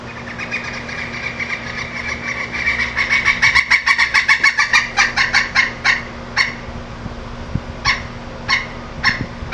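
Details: Pileated woodpecker giving a loud series of clipped, ringing notes, about three to four per second, that build in strength and then thin out into a few spaced final notes; steady low hum in the background.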